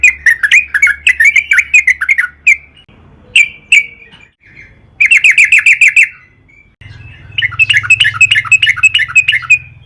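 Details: Yellow-vented bulbul (trucukan) repeating bubbly, chattering phrases as a lure to make other trucukan sing. Bursts of rapid chirps alternate with short quiet spells over a faint low hum.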